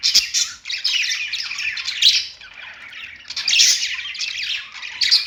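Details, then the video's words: Pet budgerigars singing on a perch: a dense, scratchy warble of chattering and squeaky notes, in loud bursts with brief quieter dips, sharp high chirps standing out near the start and end. "budgies singing on perch"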